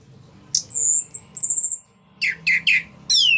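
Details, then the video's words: Orange-headed thrush singing ngeplong, meant to stimulate others to sing. A sharp note is followed by a long, level high whistle. Then come three quick downward-sweeping notes and a final bright phrase. "Pancingan Burung Anis merah Agar Cpt Ngeplong Gacor bunyi"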